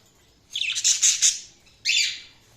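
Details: Budgerigar chirping: a half-second run of rapid, grating high chatter followed by one short, bright, downward chirp, over a faint low hum.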